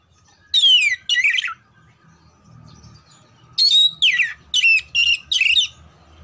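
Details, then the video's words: Oriental magpie-robin contest training song: two swept whistles, a pause with a low hum, then five rapid bright descending notes in a row. "TERAPI SUARA KACER KHUSUS BUAT MELATIH MENTAL KACER SIAP LOMBA"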